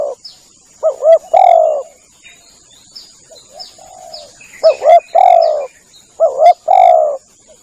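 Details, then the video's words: Spotted dove cooing used as a lure to attract doves: three phrases of a double note followed by a longer coo, with softer short coos and faint high chirps of other birds in between. "Bunyi pikat burung tekukur"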